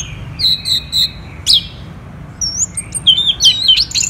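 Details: Orange-headed thrush from Bali singing in the morning: a few clear repeated whistles, a sharp high note, a short quiet gap, then a lively run of tumbling, warbled high phrases, with faint low hum behind.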